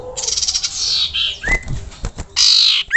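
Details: Common iora calling to lure other ioras into singing: harsh, buzzy broadband bursts with a sharp rising whistled sweep midway and another upward whistle at the end.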